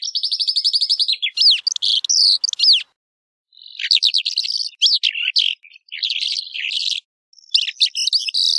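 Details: Calandra lark opening with a fast, even trill of rising notes, then sharp arching whistles and buzzy twitters, pausing half a second before resuming its varied high chatter.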